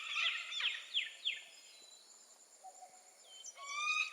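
Four harsh, downward-slurred calls from a peregrine falcon come in quick succession, then fade. Softer, higher calls from other birds follow near the end.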